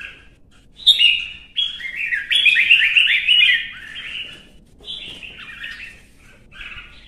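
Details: Caged red-whiskered bulbul in a competitive singing session, pushed to sing fiercely: rapid, tumbling phrases of bright warbled and whistled notes, bursts of chattering song with short pauses between.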